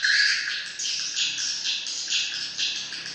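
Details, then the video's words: High, scratchy swiftlet twitters pour out in a steady stream, many birds overlapping, with louder pulses roughly every half second and no other sounds standing out. "Am thanh chim yên"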